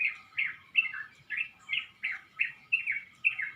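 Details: Birds singing in a pomelo tree by a house at about five o'clock before sunrise, dawn chorus: clear, bright chirps with a slight downward slur, delivered in quick succession, about nine in under four seconds.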